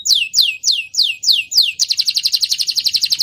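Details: Young canary singing, song used as a lure to stimulate other canaries: six loud descending whistled sweeps, then a fast buzzy rattling trill of rapid repeated high notes, clean with no other sounds.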